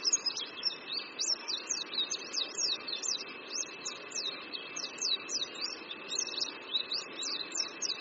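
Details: Rapid, continuous high twittering from an Oriental white-eye perched above a creek, Qingdao University, Shandong, China, with quick downslurred and upslurred notes tumbling over one another against a soft noisy background and a thin steady tone.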